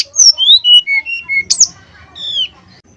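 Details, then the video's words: Male brown-chested jungle flycatcher, played to provoke other males into answering: a run of clear whistled notes stepping down in pitch, then a loud rising-falling upswept whistle and a final long slurred descending whistle. "TES SUARA SRDC JANTAN KALIAN.!! PANCINGAN SRDC SIKATANRIMBADADACOKLAT, SUARA SRDC"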